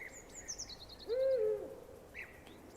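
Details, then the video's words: Owl in an 8D audio recording: one short, low, slightly wavering hoot of about half a second, standing above faint background chirps and thin high twittering from other birds. "Sonidos de BÚHO"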